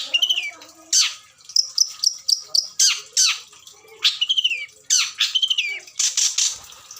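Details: Long-tailed Shrike adult suited for captive breeding, its song full of imitated fill-ins. Rising-falling whistles and harsh rasps mix with a series of rapid, evenly spaced high ticking notes.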